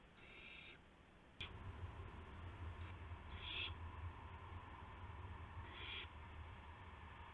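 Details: Owls at a nest past midnight on March 19, 2016, as a gopher and mice are brought to owlets; three separate raspy hissing bursts, a sharp knock at one and a half seconds, then steady low hum.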